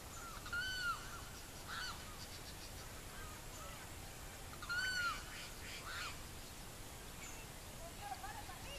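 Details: Savanna hawk, Barinas, Venezuela: two prominent arched calls about four seconds apart, with softer scattered notes between them and steady background noise.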